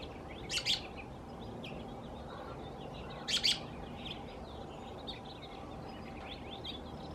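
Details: Male American robin in California calling within a group of about a dozen: two sharp, loud, chattering bursts about three seconds apart, with softer high chips from nearby birds scattered throughout.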